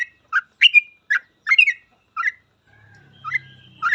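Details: Sooty-headed bulbul singing in the gacor full ropel style, used as a master recording to teach other bulbuls the ropel. Short bubbly two-part notes rising and falling, spaced by pauses, with a faint low hum late on.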